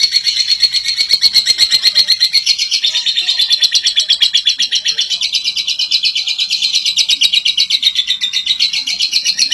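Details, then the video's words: Lovebird in a long, clear ngekek song meant to trigger other lovebirds to sing: a sustained, shrill, rapid chattering trill, evenly pulsed and loud, running without pause for nearly ten seconds. "Burung Lovebird Ngekek Jernih Pancingan Buat Lovebird Ngekek Panjang"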